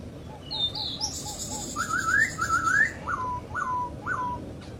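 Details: Wild masked laughingthrush, known locally as poksay Hongkong or poksay jambul: low hooting notes, then bright rising whistled phrases and three downslurred whistles in a row, with higher chirps from other birds in the background.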